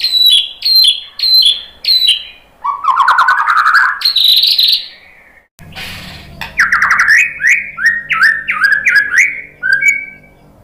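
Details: Song of a white-rumped shama used to stir other birds into singing: short falling whistles in a quick series, a rich warbled phrase, a brief break, then a run of stepped, rising and falling whistles.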